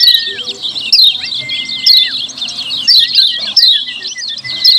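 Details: Noisy 'ciak ciak' chatter of Lemon-bellied white-eye, played as a lure to draw replies from wild birds: busy clusters of sharp, high twittering notes about once a second, over a thin, level whistled tone that drops at its end.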